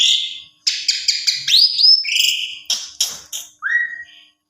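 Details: Asian pied starling lure song for prompting other starlings to answer: harsh buzzy bursts, a couple of rising whistles, scratchy rattles, then a single clear upward-swooping whistle before falling quiet.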